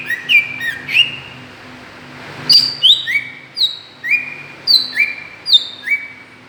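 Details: Greater green leafbird lure call for provoking other birds: a few whistled slurs, a brief pause, then evenly spaced clear notes falling from high to lower pitch, about one every half second.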